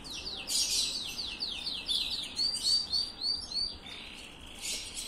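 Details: Song of a copper-coloured canary: quick series of repeated high downward-sweeping notes forming rapid rolling trills, several per second, ending in a softer pause and a last bright burst.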